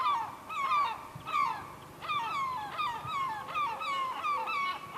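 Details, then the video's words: A gull gives harsh, nasal, slurred calls, likened to laughing and repeated about one and a half times per second in an overlapping series, with faint background rumble. "funny seagull sound"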